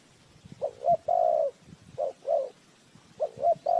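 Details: Lure spotted dove for bird trapping, cooing in quick phrases: two short notes then a long drawn coo, repeated three times, with faint low knocks underneath.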